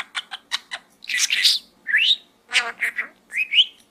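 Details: Budgerigar kept as a pet, chattering inside a small gourd: rapid clicky ticks, a harsh buzzy burst, then upward-sweeping whistled squeaks repeated in quick succession.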